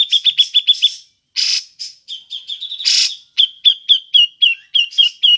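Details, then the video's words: Grey-cheeked bulbul calls in ngepik style, good as a lure for other birds: quick sharp pik notes broken by harsh raspy bursts, then evenly spaced piks about four per second. "Burung cucak jenggot ngepik cocok untuk pancingan"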